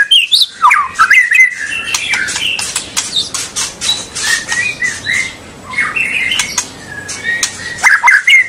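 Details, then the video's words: White-rumped shama song aimed at getting young birds to start singing; harsh scratchy squawks and clicks mixed with brief whistled slurs, dense and choppy throughout. "Kicau super murai batu bikin bakalan dan junior langsung ngentrok dan ngekek panjang"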